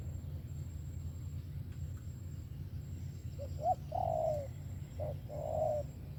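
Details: Spotted dove cooing: a steady low hum fills the first half, then a few soft, mellow coos arrive near the end, each a short note followed by a longer one.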